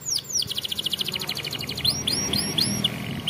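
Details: Canary song meant to train young canaries: a fast, even rolling trill of about twenty pulses, followed by separate sharp rising-and-falling chirps repeated roughly every third of a second, over a low hum.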